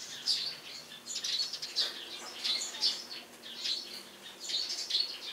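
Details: Eurasian tree sparrows calling loudly atop a house in the morning, sharp high chirps grouped in bursts roughly every second, cheerful and energetic.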